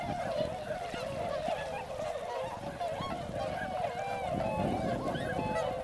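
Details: Large wintering flock of swans at Motono, Inzai, Chiba, Japan, visiting between October and February alongside many Northern Pintails: a dense, continuous chorus of overlapping nasal honking calls, steady throughout.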